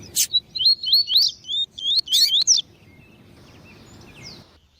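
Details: Double-collared seedeater (Sporophila caerulescens), male song with female calling: a quick, high run of twittering, slurred notes for about two and a half seconds, then quiet over faint background hiss.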